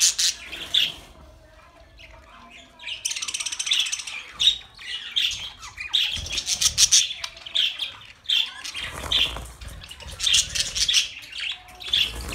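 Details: Pet budgerigars chattering: scattered high chirps, then long stretches of dense scratchy warbling and squawks from several birds, with brief lulls between bursts.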